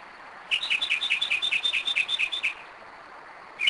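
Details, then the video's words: Long rapid phrase from a Northern mockingbird at 2am in Kennesaw, Georgia: about fifteen alternating high and lower chirps in two seconds, then silence before another note begins. "Mockingbird 2am 2011"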